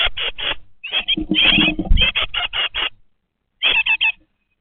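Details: Nest-box great tit young aged 20 days: loud rasping calls over scuffling noise, then silence, then a final burst of four buzzy chirps.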